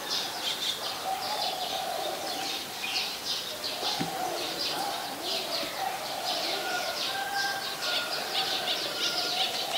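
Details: Olive-backed sunbird near a house on a March 2021 afternoon, giving clustered high, thin chip notes repeated continuously, accompanied by a faint low humming coo and background noise.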